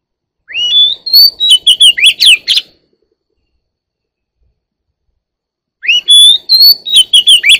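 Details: Oriental magpie-robin, one year old, delivering two matching song phrases separated by a few seconds of silence, each a rising whistle followed by rapid chirpy, sweeping notes at a fast pace.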